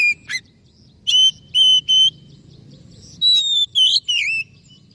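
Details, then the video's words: Oriental magpie-robin lure song for a bird that has stopped singing or is stressed: a short warble, three evenly spaced flat whistles, then a long steady whistle and swooping slurred notes. "SUARA PANCINGAN _burung kacer macet bunyi / stres"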